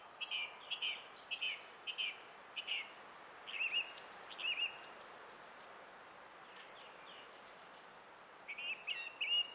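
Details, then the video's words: Spring song of a song thrush on 20 April 2016: a phrase repeated four times, then a different twisting phrase repeated, and a final pair of bright notes after a pause. "Kaunis ääni linnulla - Laulurastas"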